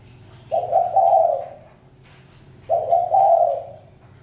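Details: Spotted dove repeating a low, grainy two-part coo twice, about two seconds apart, over a faint low hum.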